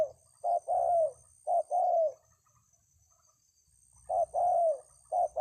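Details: Spotted dove (tekukur) singing in the 'kuk 2 3 jergot' style: low, mellow coos in grouped phrases of short notes and a longer rolling coo, a silent gap mid-way, then the phrase starts again.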